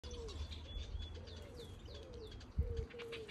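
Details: White-cheeked turaco in an aviary guarding its nest, giving soft, low hooting notes repeated every half second, with thin high whistles from other birds and a steady low rumble behind.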